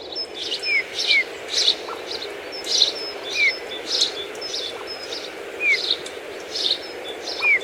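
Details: Eurasian bullfinches feeding on rowan berries in winter give soft, short, descending piping call notes about every second, over a busier run of high, sharp chirps from other small birds.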